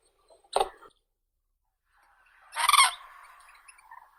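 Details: Crane giving two loud, harsh calls, a short burst then a longer ragged one about two seconds later, trailing into a fainter rough murmur.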